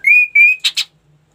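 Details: Ashy tailorbird in full song gives two loud, level, high whistles one after the other. Two quick, harsh, buzzy bursts follow, then silence.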